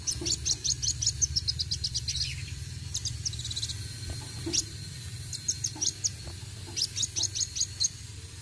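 A sunbird sings rapid bursts of thin, high chirps and trills, strung in quick runs with short pauses, over a steady low hum.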